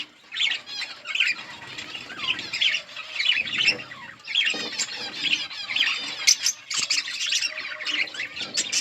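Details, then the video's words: Many budgerigars chatter together in their colony, giving a steady stream of scratchy, warbled chirps and quick squawks, with flapping wings crackling throughout. "Budgies parrot chirping sounds in budgies colony"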